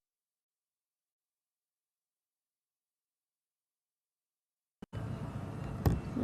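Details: Near silence for almost five seconds, then a sharp knock and a low, steady rumble with a louder thud toward the end; no animal voices.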